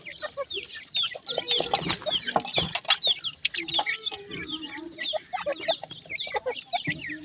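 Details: Grey francolin (teetar) chicks, several calling together, some feeding: a dense chorus of thin, high, downslurred peeps overlapping rapidly, mixed with sharp clicks and tapping sounds throughout.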